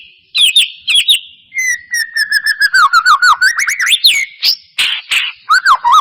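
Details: Lure song of white-rumped shama meant to stir singing: paired whistles, then a long rapid sequence of short clear notes gradually rising, followed by loud slurred phrases, with echo.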